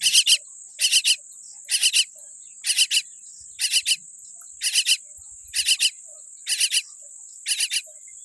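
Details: Tiny baby common myna born with a weak beak, giving harsh raspy calls in tight bursts of two or three, repeated roughly once a second, over a constant thin high-pitched whine.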